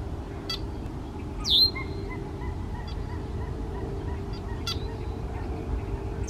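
Red-winged blackbird giving a sharp, high, down-slurred whistle twice, with a few short clicky notes between, over a steady low rumble.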